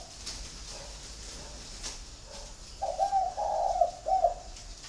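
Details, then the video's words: Spotted dove from a flock kept at a bird garden in Ba Vì, Hanoi, Vietnam. A quiet opening, then one full mellow coo phrase with a short first note, a long rolling middle and a clipped end. "Nhà chẳng có gì ngoài đàn CHIM CU GAY"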